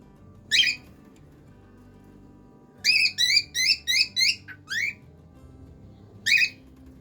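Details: Cockatiel singing: a brief harmonic chirp, then a quick run of six bright, warbling chirped notes, a short slurred note and one last chirp after a pause, over soft background music.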